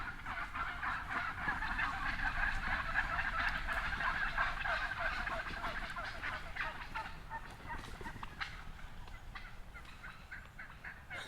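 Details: Wild turkeys at a golf course in Redding, California, as the flock takes flight: dense, continuous rapid gobbling and chattering from many birds at once, slowly fading toward the end.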